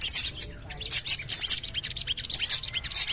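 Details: Javan cochoa call played to lure birds into song: dense, rapid series of sharp, very high chirps and rising ticks, coming in quick clusters almost without pause.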